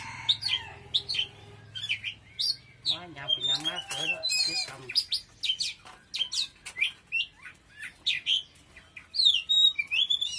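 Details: Oriental magpie-robin singing hard: short bright rising and falling whistles repeated in quick succession, with a stretch of harsh, harmonic-rich chatter in the middle.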